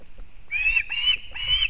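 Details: At a Latvian osprey nest in Kurzeme, the mother arriving with fish for the chick on 31 August 2024; three quick shrill, squealing notes over a low background rumble.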